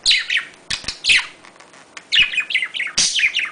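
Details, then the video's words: Pet budgerigar mating call, played to stimulate breeding: bursts of fast, high chirps and scratchy warbling notes, many sliding downward, in clusters separated by short pauses, with sharp clicks. "muhabbet kuşu çiftleştirme sesi muhabbet kuşu kızıştırma sesi muhabbet kuşu sesi طيور الحب صوت تزاوج"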